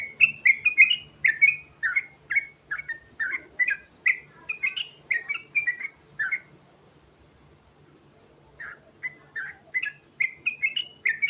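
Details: Sooty-headed bulbul, known locally as trucukan garuda, singing rolling 'ngerol' phrases to prompt a reply: quick chains of short, slurred whistled notes, about two per second, broken by a silent gap of roughly two seconds.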